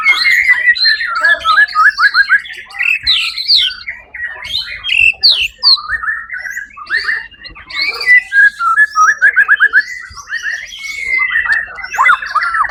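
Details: White-rumped shama that took first place in a songbird competition on 1 October 2023, singing a long, varied stream of rapid trills, short whistled notes and buzzy flourishes, several notes per second, with brief gaps.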